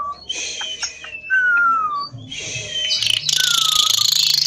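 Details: Javan pied starling song of long, smoothly falling whistles interwoven with scratchy, hissing chatter, ending in a dense, rapid, harsh rattle.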